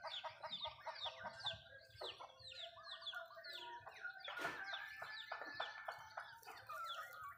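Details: Backyard Malay chickens feeding at home, giving many short clucks and descending chirped notes that overlap continuously, with one sharp broadband tap near the middle.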